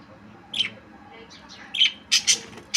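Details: Budgerigar making a few scattered high chirps and faint rising squeaks, ending with three louder sharp notes close together.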